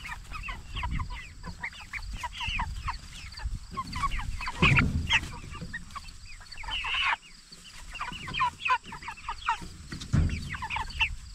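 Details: Cornish Cross broilers, jumbo type, 44 days old and raised for meat, chirp steadily in overlapping high peeps. A harsher squawk sounds around the middle, then a brief lull and more chirping, with low thumps throughout.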